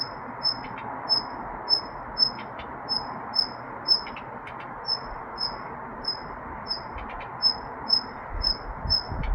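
A Daurian redstart repeats a thin, high whistled note about twice a second, with occasional dry ticking clicks, over a steady low rush of background noise.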